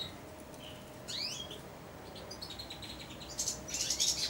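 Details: Caged four-month-old European goldfinch, hand-tame, quietly practising subsong while perched on and beside the hand that feeds it. Soft, high twittering with a few quick sweeping notes early, then scratchy, buzzy bursts toward the end.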